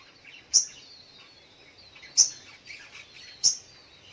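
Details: Morning calls of a Sogok ontong: three piercing high chips spaced about a second and a half apart, each trailing into a short twitter, with soft bird chatter behind.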